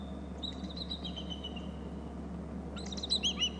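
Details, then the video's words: Bald eagle at a Hornby Island nest territory, calling while a third eagle arrives; a thin whistled note leads into a quick, squeaky burst of high chips near the end, with steady hum underneath. "3rd eagle arrives from the left to top bst; lots of calling"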